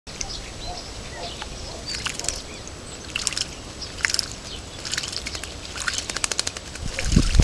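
Song thrush giving bright, high phrases, some notes repeated quickly in short runs, partly masked by a steady low rumble of wind or distant noise.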